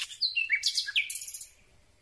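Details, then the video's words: Common Nightingale at night, recorded from very close range: a rich two-second phrase of quick whistles swooping down, scratchy bursts and a final high buzzy trill. "Słowik Rdzawy piękny śpiew nagrany z bardzo bliska"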